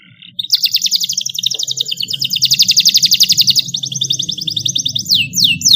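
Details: Young canary learning song by copying a recorded model song; a long dense rolling trill lasting about three seconds, then faster-pulsed rolls and a few downward-sweeping whistles, with low background hum.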